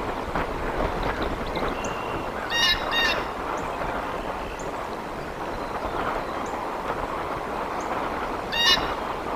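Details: Bald eagles at a large nest in Decorah, Iowa, in July, uttering short, high, chittering squeals in small bursts, over loud broadband wind and rustling.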